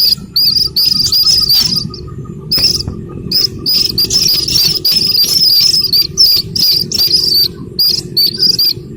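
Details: Calls of a slaty-legged crake chick, used to lure the adult birds: dense runs of high, thin squeaky peeps in rapid bursts with brief pauses, over a steady low background hum.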